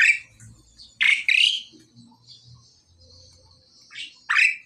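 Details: Loud, rasping double squawks from a male and female pied myna being paired, a pause with faint low murmurs, then further harsh rising calls.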